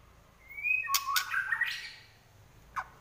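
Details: A young, still-spotted white-rumped shama in fighting mode gives a rich, rapid burst of varied whistles, opening with a clear high note and broken by sharp clicks, ending in a quick downslurred whistle.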